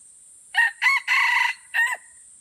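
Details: Crowing duel of Aceh red junglefowl at Kuta Malaka, Indonesia: one rooster gives a crisp crow of two brief syllables, a long strident held note and a closing downward-bending note. Insects hum constantly in the background.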